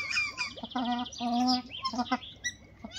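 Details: White-winged duck females courting a male produce paired nasal honks, each about a third of a second, mixed with high twittering notes and a few short clipped calls.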